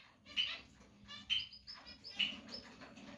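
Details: Female canary giving three short, bright chirped calls spaced about a second apart, each a brief high note with a quick buzzy edge, over a faint low background hum.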